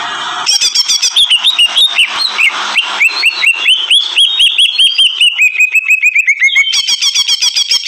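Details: Greater green leafbird in full, loud song: a rapid, rhythmic series of chirped and whistled notes, repeated more than twice a second, sliding gradually downward in pitch, with sharper high notes at the end.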